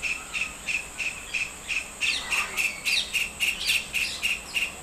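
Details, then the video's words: White-throated kingfisher (Halcyon smyrnensis) in India giving a steady run of sharp, high, piercing calls, about three a second, over a hissing background. "Call of the White Throated Kingfisher"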